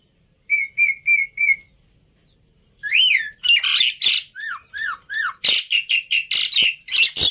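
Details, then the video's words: Black-winged myna song used as a lure and training recording, full of varied phrases said to be easy to copy: high whistled notes in threes, then rising squawks, falling slurred whistles and loud harsh bursts. "Pancingan Plus Masteran Burung Jalak Putih full Isian Mudah Di Tiru"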